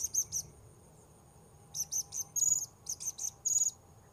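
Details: Blue-crowned hanging parrot, recorded while luring wild birds at a new location: rapid series of piercing high chirps and short buzzy notes in quick clusters, against a constant high whine and soft low background noise.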